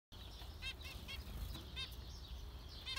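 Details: Zebra finches giving short, nasal, harmonic-rich calls, a few scattered beeps spaced irregularly over a steady low background rumble.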